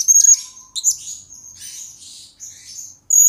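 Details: Blue-crowned hanging parrot, recorded as a lure and master for training birds: loud, very high thin whistled notes and chirps, a sustained twittering run, then another sharp burst.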